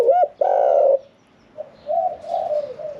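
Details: Cage-kept spotted dove with a medium voice in 'khan yon 1 kuk' style: one short hoot and a loud sustained coo, then a pause before quieter, more distant coos and faint high chirps.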